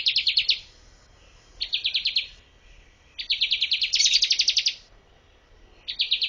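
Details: Bar-winged prinia song used as a master recording for training birds, with rapid bursts of high, evenly spaced chirping notes repeated in four runs, one longer and louder, separated by short pauses.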